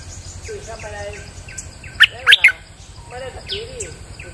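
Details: Bulbul used as a decoy singer in rainy weather: soft, wavering warbles, then a sudden cluster of three loud, sharp chirps, followed by quieter rising notes over steady background noise.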